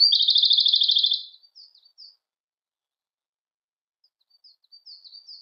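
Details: Siberian blue robin song: a loud, fast rattling trill of high notes lasting just over a second, followed by a few soft, thin scattered notes, then faint high chips building again after a pause.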